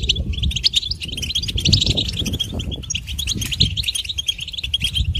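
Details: Goldfinch singing a sweet, intricate melody: a rapid, continuous stream of bright twittering notes and short trills, with a steady low rumble underneath throughout.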